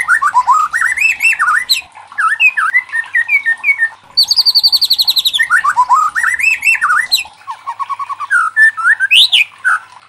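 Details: White-rumped shama song, played to prompt other shamas to sing: loud, rich run of varied whistled phrases rising and falling, broken midway by a fast buzzy rattling burst, with the singing nearly unbroken throughout.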